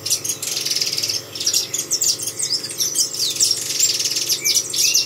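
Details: Continuous high twitter from a saffron finch: thin, rapid chips and short sweeping notes run together with hardly a break across the whole stretch.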